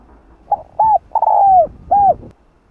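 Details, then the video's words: Spotted dove cooing to call a female, a cu gáy call used to lure birds in Vietnam. One phrase: a soft lead-in note, a short coo, a long falling drawn-out coo, then a final clear coo. "Cu gáy GÁY GỌI 1 HẬU kích bổi nhanh nổi"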